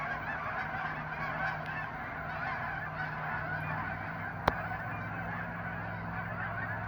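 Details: Hundreds of geese honking at once in an unbroken chorus of overlapping calls, with a low steady hum beneath and one sharp click midway.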